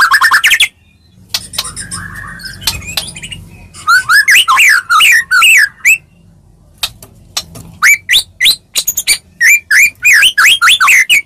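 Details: White-rumped shama fighting song used as a lure to provoke other shamas into replying: bursts of sharp rising whistles and chattering notes in rapid series, with quieter pauses and faint low rumble between phrases.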